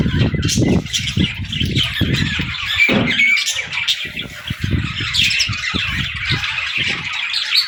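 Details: Baby budgerigars playing and chattering, a dense mix of scratchy chirps and squawks in the upper range with loud low thumps and knocking from toys or movement throughout.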